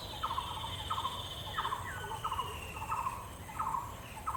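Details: Male Bronze-winged Jacana resting on water hyacinths with his chick under his wings in the wetlands of Purbasthali, India; harsh, nasal notes repeated roughly every two-thirds of a second over steady background hiss.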